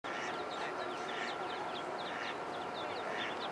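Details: Ducklings in a pond give a dense, continuous chorus of short, high peeps, many overlapping, over a steady low hum.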